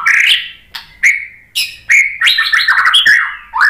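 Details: Pancingan song of the white-rumped shama (murai batu), used to spur other shamas into calling back: dense, varied whistling with sliding notes, sharp chips and a busy warbled passage, loud and continuous with short gaps.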